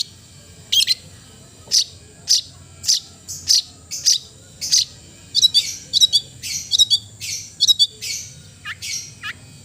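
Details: Long-tailed shrike singing a lively run of sharp, downslurred chips and chattering notes that speed up midway into quick doubled phrases, with a steady thin high whine behind.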